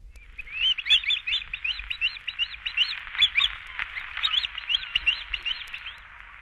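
Swallow-tailed Kite giving high, thin whistled notes, short upslurred 'klee' sounds tumbling in quick, uneven chattering runs, several overlapping at times.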